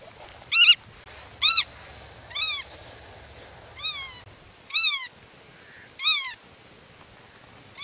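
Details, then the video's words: Black-tailed godwit defending its breeding territory and calling to young hidden in grass: a series of arched, nasal, overtone-rich notes about a second apart, varying in loudness, over soft low rumble. "Rycyk w obronie gniazda - Limosa limosa"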